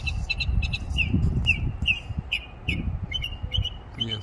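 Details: A songbird perched in a tree sings a quick series of bright, high chirped notes, about ten in four seconds, over low rumbling and a person's soft voice.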